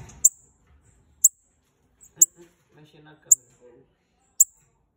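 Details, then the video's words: Calls from a pair of Bananaquits meant to excite other birds: five crisp, very high tsip notes roughly one second apart, with faint murmured speech between them. "Casal de Sibites chamando, pra Foguear o seu !"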